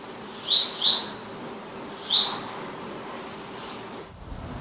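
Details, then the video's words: Three crisp, high chirps from a Palestine sunbird, two close together and then one more a second later, followed by quiet. "Glimpse of the Palestine Sunbird | Beautiful Chirps & Songs"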